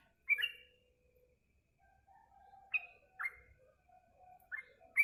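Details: Caged yellow-vented bulbul singing after eating mealworms: three short bubbly whistled phrases separated by pauses, with faint low tones between them.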